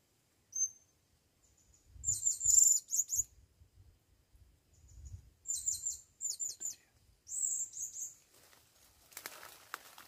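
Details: Calling for a female, a blue-crowned hanging parrot brought to the forest for the first time gives repeated bursts of sharp, very high-pitched chattering notes, with a faint single squeak first and a brief rustle at the end.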